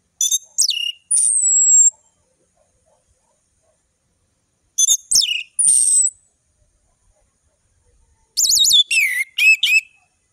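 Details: Orange-headed thrush singing a varied song used to tutor young birds; high sharp whistles and buzzy slurred notes in three bursts separated by pauses, ending with a fast run of rising and falling warbled notes.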